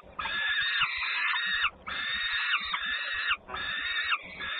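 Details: Peregrine falcons, Włocławek, Poland, 3 June 2010, feeding at the nest while a sister comes home with much commotion; three long, rasping, strained screams, each over a second, separated by short gaps.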